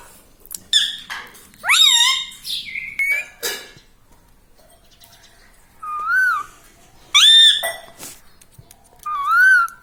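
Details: Pet parrot chatting in human-like words such as "Mummy" and "Papa". An opening cluster of sharp, sweeping syllables is followed by a pause, then three separate, clear, gently wavering phrases spaced about a second and a half apart.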